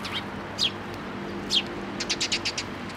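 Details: Sparrows visiting a feeding post at a Tenmangu shrine, 26 May 2024. Two descending squeaky notes, then a rapid run of about six chirps, over a low hum.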